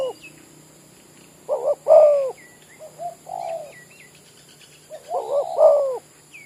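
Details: A village spotted dove acting as a decoy near oil palms, giving two full coo phrases with softer single coos in between, while small birds chirp lightly in the background.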